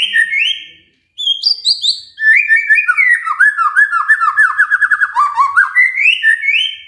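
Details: Varied magpie-robin song used to stimulate a silent bird: loud whistled notes and high sweeps, a brief pause, then a long run of quick rising and falling warbles and trills.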